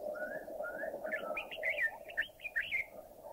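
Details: Red-whiskered Bulbul from Thailand: a lively run of fluty, looping warbled notes rising in pitch, set against a continuous low hum.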